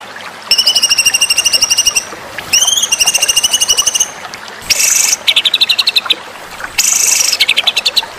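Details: White-rumped shama song presented as masteran, a song series for contest birds: fast high rattling trills of evenly spaced notes, a rising whistled slur, then harsh buzzy bursts alternating with quick chattering runs.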